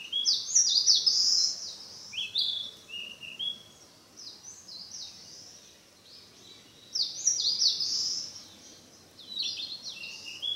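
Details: Narcissus flycatcher in the mountains practising its song: loud, bright, high phrases of rapid warbled and whistled notes mixed with lower falling slurs, given in two bursts with a pause between them.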